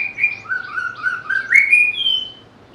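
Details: White-rumped shama song, the species praised for its sweet, varied voice and mimicry: a quick string of warbled whistles shifting between two pitch levels, climbing into a high, clear drawn-out note at the end.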